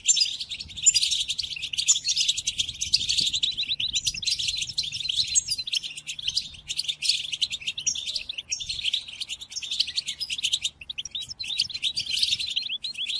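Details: Song of the European goldfinch used for tutoring captive birds, including during moult: long, unbroken tinkling twitter with fast trills and scratchy buzzes throughout.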